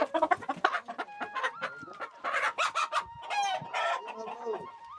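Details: A rooster crows around three o'clock, outside its usual times, with a long, harmonic, drawn-out call while people talk nearby during outdoor cooking.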